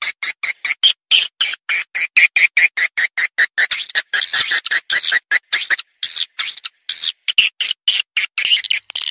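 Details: Swiftlet lure call for attracting swiftlets: rapid bursts of high, bright twittering chirps separated by short silent gaps, repeated steadily throughout.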